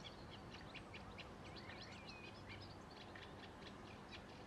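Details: Reed warbler singing in short spring reeds beside Sculcoates Lane in Hull: a jerky run of high chirps, clicks and brief slurred whistles, delivered in a constant stream over heavy low background noise.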